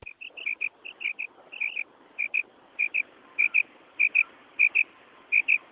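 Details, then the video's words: Quail calling at night, a call used to lure quail for hunting: clear, high, buzzy notes in close pairs, repeated about every half second over a faint hiss. "#quailsound #bulara رات کے لیے بہت اچھی آواز کرک کے ساتھ | شکار کے لیئے زبردست آواز"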